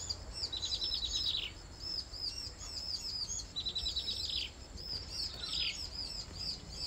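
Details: A bar-winged prinia feeds its three hungry chicks, which beg with high, thin, overlapping chirps and three fast descending trills roughly every two seconds, over a low background hum.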